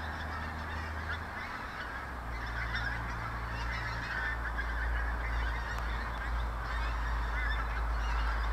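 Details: Pink-footed geese near Clatto Reservoir just outside Dundee: a flock's continuous babble of overlapping, yelping honks, dense and steady, over a strong low rumble of wind or distant traffic.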